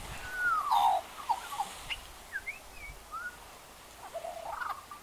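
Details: Magpie singing for an audience: a loose run of clear whistled and warbled notes, some sliding down, others short and rising, spaced irregularly over a quiet background.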